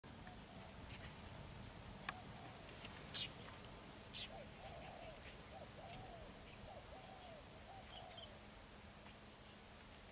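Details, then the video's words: A decoy spotted dove used in ground trapping, from Chí Linh, Hải Dương, gives low, soft cooing phrases, short and rounded, over steady hiss with faint high clicks. "Bẩy cu gáy mồi đất.giọng thổ gù rước"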